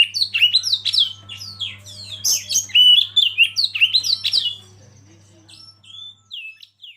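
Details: Oriental magpie-robin song, recorded with river flow and wild birds: rapid varied whistles and sharp downslurred notes in a dense burst, then a few sparse clear whistled phrases after a pause, with a steady low hum beneath.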